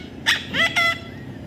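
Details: Baby parrot giving three short, harsh, harmonic squawks in quick succession against a steady low background hum.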